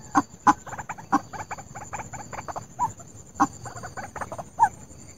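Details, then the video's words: A White-breasted waterhen lure call used for trapping gives a rapid run of harsh, croaking notes, several loud ones standing out, over a faint steady electronic whine. "SUARA PEMIKAT RUAK-RUAK"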